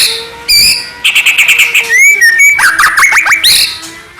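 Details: White-rumped shama singing to provoke other shamas into answering: varied loud phrases of clear whistles, buzzy trills and swooping slurred notes, switching quickly between high thin notes and lower rich warbles.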